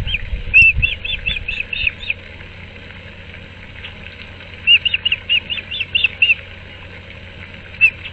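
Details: At a Moorings Park nest on 6 March 2024, an osprey calls during a changeover while the male delivers a fish to the female. Rapid series of sharp, whistled chirps come in three bursts, separated by quiet stretches, with a low thump at the start.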